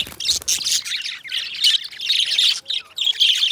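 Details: Pair of pet budgies singing and talking: a continuous, loud, harsh warbling chatter of scratchy squawks and chirps with barely any pause.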